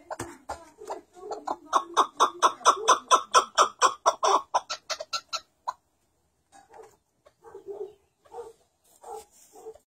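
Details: Calling white chukar partridge: a fast, regular series of loud chuck notes, about two per second, building and then tailing off, followed by a pause and softer scattered clucks.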